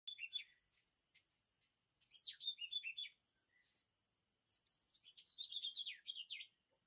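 Oriental magpie-robin singing varied, sweet whistled phrases with quick slurred notes in two bursts, over a steady high insect-like hiss.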